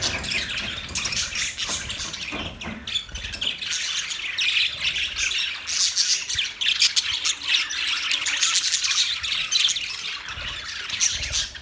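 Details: Steady, dense budgie chatter of overlapping high squeaks and scratchy chirps that runs without pause from start to finish.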